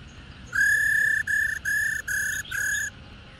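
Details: Female black-throated laughingthrush, wild-caught bird played to excite captive males: a series of five steady, clear whistled notes with rich upper harmonics, each lasting under a second and separated by short gaps, over quiet background hiss.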